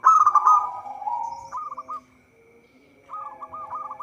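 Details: Zebra dove song, local bird, used to lure wild doves for trapping. A loud rolling coo slides downward, followed by a brief beaded trill, a pause, then another run of quick rolling notes.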